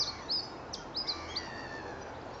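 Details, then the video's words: Siberian chiffchaff (tristis) singing in December 2014 at a park in Goodrington, Torbay, Devon, UK, a wintering bird responding to song playback; thin high chirped notes in a quick loose series over steady background noise. "Siberian Chiffchaff song"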